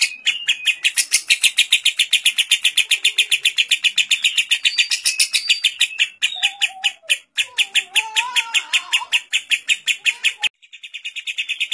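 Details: Lovebird in kapas tembak style singing a long ngekek as a training master: a rasping pulsed chatter about two to three per second, quieter warbling from another bird in the middle, and a brief break near the end.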